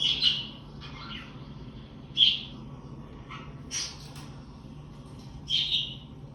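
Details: Pet budgie making contact calls to locate unseen flock mates: a loose series of about six high, clipped chirps at irregular intervals, some sharper and squeakier, over faint steady hum.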